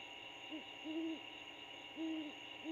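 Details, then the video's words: Nesting great horned owl pair in Georgia, using an abandoned bald eagle nest in a storm-damaged pine; short hoot, longer hoot, pause, then another long hoot and a final start, steady hum behind. "Sample of Great Horned Owl couple chatting"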